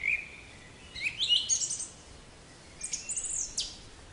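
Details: Black-capped chickadee, a small North American songbird of deciduous and mixed forests, giving high thin introductory notes, then a burst of harsh buzzy notes and a second rough series after a pause.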